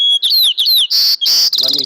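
A Hermit Thrush gives a short, high, clear whistle followed by quick downslurred notes, then breathy hissing bursts and a buzzy rattle.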